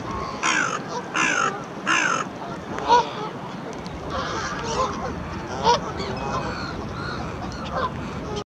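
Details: A flock of Canada geese in a wet, windy, almost deserted Hyde Park, crossing an empty road toward a woman who might have bread. Three loud, harsh honks open the recording, then fainter scattered calls over steady wind noise.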